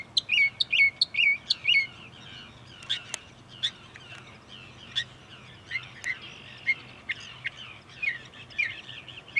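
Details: Northern mockingbird in bushes beside a parking lot at Cape May Point, New Jersey, USA, opening with quick repeated squeaky notes, then mixing sharp clicks, chips and warbled whistles in a continuous varied medley.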